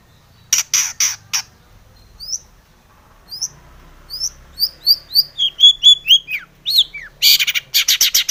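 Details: Long-tailed shrike in full song, a lure to provoke other shrikes to sing: opening harsh rasps, a gap with scattered thin notes, then a quickening string of sharp high slurred whistles and a final burst of grating chatter.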